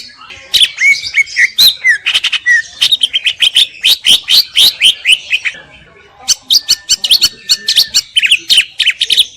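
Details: Greater green leafbird song meant as master training audio, a dense chattering stream of quick chirps and short whistles that breaks off briefly midway before resuming just as fast.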